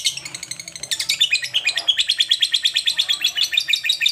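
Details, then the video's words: Lovebird kept as a cage bird, in a recording meant to help a quiet bird sing more; rapid high chattering trills repeated about three times a second, steady and pulsing through most of the passage. "Love bird yang jarang bunyi agar Gacor"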